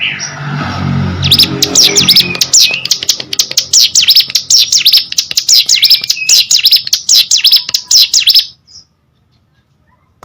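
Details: Hill prinia singing: after a second of low rumbling noise, a fast run of sharp V-shaped high notes, swept down and up, repeated steadily for about seven seconds, then stopping abruptly.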